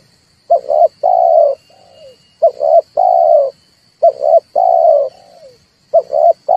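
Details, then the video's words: Red collared dove call, used as a lure to set birds calling for trapping: two short clipped coos then a long, even, slightly falling coo, repeated about every 1.5 seconds, with a faint trailing note and a steady high whine behind. "tiếng chim cu ngoi dùng cho kich chim hót dùng để bây"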